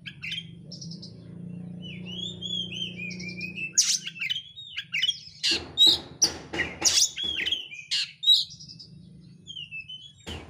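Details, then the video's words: Persistent oriental magpie-robin song used as a lure to set another bird singing: varied whistled and buzzy phrases, some rising, others falling, broken by a burst of quick harsh chattering notes in the middle. "pancingan kacer gacor isian rapat cepat ngotot emosi"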